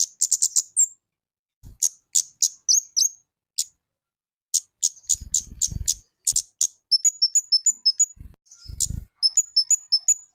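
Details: Lesser shortwing (kemade) singing actively: rapid trills of very high chirps, then quick repeated up-and-down whistled phrases, with occasional dull low thumps and knocks nearby.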